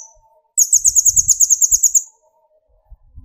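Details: Sunbird song played to raise the fighting mood of other birds: a single rapid, even trill of about fourteen piercing high notes lasting one and a half seconds, with faint low rumbling beneath.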